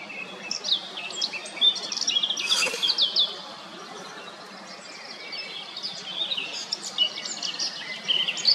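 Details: Eurasian blackcap singing: a fast, varied warble of high, scratchy and whistled notes that swells in the middle and again near the end, over a steady hiss of background noise.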